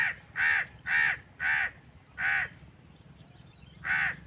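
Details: Naturally recorded crow uttering five rapid, harsh caws about half a second apart, then a silent gap before a final caw, with low rumbling background noise.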